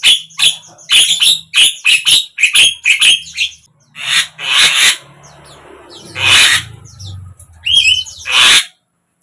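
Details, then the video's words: Javan myna song, used to coax a silent myna into opening its beak and singing: harsh, scratchy chattering notes in quick bursts, then louder squawks after a short pause, over a faint low hum. "suara JALAK KEBO BISU BIAR IKUT BUKA PARUH"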